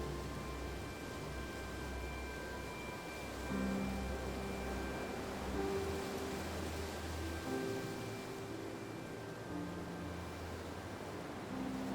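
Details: Soft background music with sustained low tones over a steady hiss, and no animal voices anywhere.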